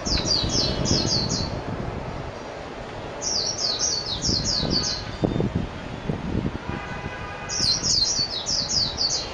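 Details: Japanese white-eye, known as mejiro, singing three quick bursts of high, thin twittering notes separated by short pauses, with soft low rumbling noise underneath.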